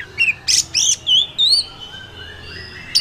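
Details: Wild Oriental magpie-robin singing: a few short clear whistled notes and a rising-falling buzzy phrase, then a thin sustained high whistle with quiet gaps.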